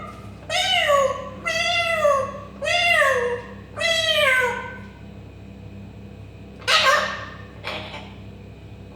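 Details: African grey parrot imitating a cat: four drawn-out, nasal meows in quick succession, each bending down in pitch, then two short harsher squeaks, over a steady low electrical hum.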